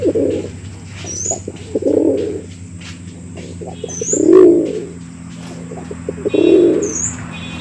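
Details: A pigeon calls for a female with four soft, throaty coos at an even pace of about one every two seconds. Faint high chirps and a low steady hum sit in the background.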